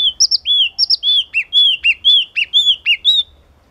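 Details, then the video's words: A yellow-cheeked tit delivers a fast run of loud whistled notes. Each arching note is followed by a sharp downward slur, repeated about twice a second in a clear, ringing pattern, with light low background noise. "Chim Chi Chi Mào Hót Cực Hay"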